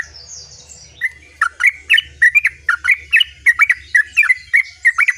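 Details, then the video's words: Sooty-headed bulbul in lively, rolling song: a steady run of short, bright, bubbly notes repeated roughly every third of a second after a brief opening phrase, with a low hum underneath. "terucuk Gacor ngerol"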